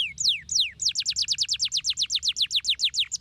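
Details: Canary song used to stimulate lazy canaries to sing: a few loud downward-sweeping whistles, then a fast run of about twenty repeated descending notes at a steady trilling pace, with a faint low hum underneath.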